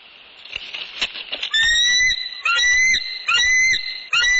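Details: Bald eagles at a nest in northeast Florida, 6 pm, 20 January 2019, unsettled as a mature adult newcomer visits; soft chattering, then loud whistled notes, each about half a second and slightly rising, repeated four times.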